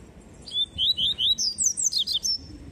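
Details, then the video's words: High, rapid tui tui song of a double-collared seedeater: a string of about nine clear whistled notes, sliding smoothly at first then turning into sharper, more emphatic upslurred notes, over a soft low hum. "CANTO TUI TUI DE PAPA CAPIM COLEIRO"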